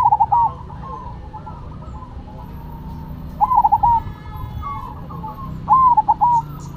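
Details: Zebra dove song, a cemani perkutut paired with a silver one: three ringing coo phrases, at the start, middle and end, separated by softer continuous cooing from other birds.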